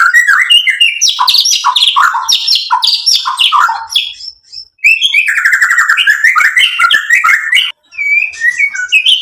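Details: Excited white-rumped shama, stirred to answer and unload its learned repertoire, delivers a dense stream of loud chopped notes, fast rattling trills and varied whistles with hardly a pause.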